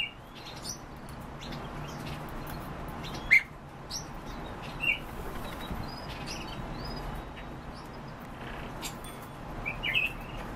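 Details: Kept European bee-eaters (Merops apiaster) give three short, rolling, liquid 'prruip' calls at irregular intervals over a steady hiss of wind or rustling.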